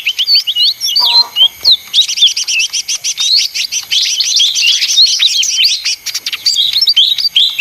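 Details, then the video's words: Leafbird singing in its noisy style: scattered whistled notes and a soft low stutter give way to a long, dense run of rapid high chirps mixed with twittering whistles. "suara ijo mini (daun)ribut paling ampuh"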